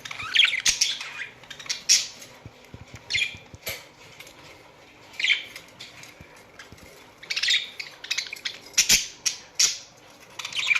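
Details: Australian budgerigars in a colony give short bursts of high chirping chatter, each burst lasting about a second, separated by quiet gaps and recurring irregularly; faint thuds and rustles between bursts.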